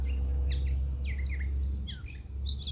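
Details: A pet European goldfinch, encouraged by its owner, sings a quick, tinkling run of high twittering and slurred notes over a steady low hum.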